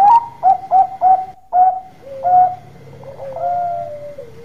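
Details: Bangkok-type zebra dove singing loudly and persistently, used as a lure to make other doves answer quickly: a quick run of five or six short, bright coos, then softer drawn-out, lower wavering notes trailing off.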